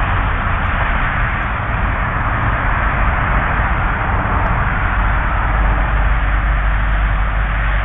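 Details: Continuous dense hiss and rumble, like wind buffeting an outdoor nest camera, runs throughout with no bird or other animal voice.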